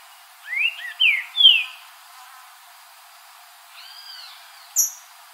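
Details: Wild green-winged saltator song outdoors: three quick whistled notes in a row, mostly rising then falling, followed by a pause, a faint softer whistled phrase, and one brief, very high, sharp chip at the end.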